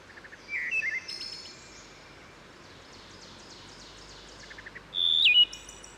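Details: Wood Thrush singing beside Herring Run stream in Susquehanna State Park near Havre de Grace, Maryland, with woodpecker percussion; forest and steep stream lend rich reverberation. Short fluty phrases open, then a faint, fast high trill, and a loud, clear whistled note near the end.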